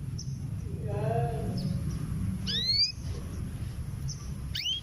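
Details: Female canary, six to seven months old and ready to breed, calling for a male: two rising, overtone-rich whistled notes a couple of seconds apart, with a faint low wavering sound and steady rumble behind.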